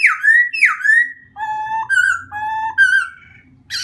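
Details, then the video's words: A White-crested laughingthrush sings two loud, slurred whistles falling in pitch, then clear, flat whistled notes alternating between a lower and a higher pitch. "White-Crested Laughing thrush bird songs"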